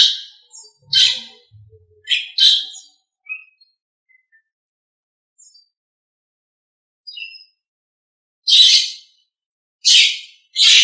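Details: Nias hill myna, recorded as a master track for teaching other birds, gives short harsh bursty calls in two clusters separated by a long silence, with faint soft notes between them.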